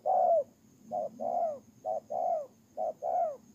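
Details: Decoy spotted dove recorded on 23 September 2018 in Tumorong, Kon Tum, Vietnam, giving soft repeated coos, each a brief note followed by a drawn, downward-curving note, about four phrases.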